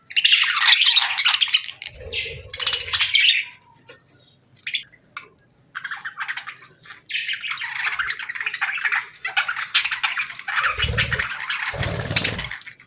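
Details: Parakeets chirping in a summer setting: bursts of squawky, scratchy chirps and chatter in irregular runs, with short pauses between bouts and a few low thumps underneath.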